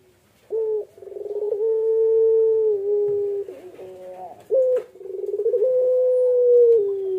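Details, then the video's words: While sitting on eggs, a Barbary dove (puter pelung) gives two full coo phrases, each opening with a brief upward note, then quick throbbing pulses and a long level hum that sags at the end. "PUTER PELUNG NGACOR SAAT MENGERAMI TELUR"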